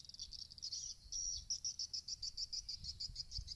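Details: Swiftlet chirps from a swiftlet-house recording meant to draw swiftlets to roost: a fast run of high, thin twittering notes, about two per second, over a low background rumble.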